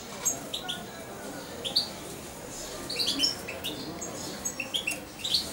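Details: European goldfinch about two months old, reared by syringe feeding, gives short high upslurred chirps in loose groups separated by brief pauses, against faint indoor background.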